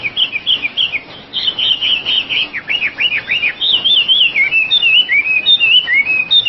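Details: Oriental magpie-robin (wambi) singing a continuous, varied medley: wavering whistles, a run of steep down-slurred notes, then warbling twists and falling whistled phrases, loud and clear throughout.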